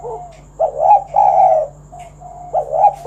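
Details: Spotted dove singing kuk 1 song to coax other doves to sing: rolling low coos running together, long mellow notes with softer cooing between, over a steady background hum.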